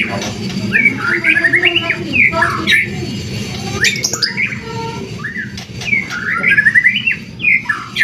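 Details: Gacoran-style song of a white-rumped shama, played to provoke rival birds to sing: bursts of rich whistled and twittering phrases with sharp high clicks between them, above a continuous low background drone.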